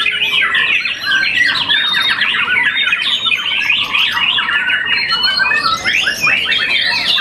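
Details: Champion young white-rumped shama after one moult delivering a busy, nonstop medley of sharp chips, buzzy trills and quick slurred whistles, loud and steady throughout.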